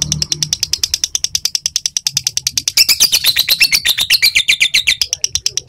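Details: Lovebird in long chattering ngekek, used as a training recording to prompt other lovebirds: a fast, even train of sharp high pulses, about eight per second, growing harsher midway, with faint low background hum.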